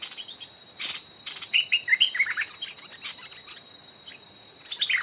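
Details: Old wild stripe-throated bulbul, described as fierce, calling back to a caged decoy near a trap. A run of quick, liquid warbled notes is set against a steady high insect-like whine and faint background chirps.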